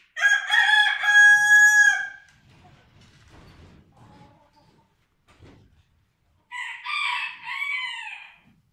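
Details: German Vorwerk breed rooster among hens: a loud drawn-out crow of about two seconds, then quiet clucking and scratching, then a second, rougher crow near the end.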